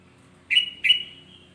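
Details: Sooty-headed bulbul singing to provoke other bulbuls: two clear whistled notes, each opening with a quick upward slur and fading into a steady thin tone, in a quiet setting.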